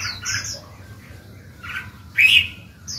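Black-throated laughingthrush giving a quick run of bright, chattering notes, closing on a loud harsh squawk over faint background hum.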